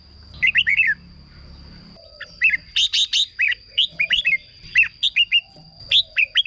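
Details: Red-whiskered bulbul song for decoy use or to make caged birds lively: crisp rising-and-falling whistled notes in tight clusters, a sharp burst near the middle, with a thin constant high whine and low hum beneath.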